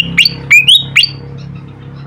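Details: Pied fantail song used as a training recording for captive songbirds: four sharp, squeaky notes within about one second, some quickly upslurred and one level whistle, followed by a faint low hum.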